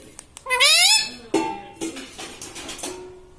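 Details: Parrot kept as a pet, imitating the words "mummy papa"; one strong rising harmonic syllable, then a series of quieter voiced and noisy sounds in an indoor room.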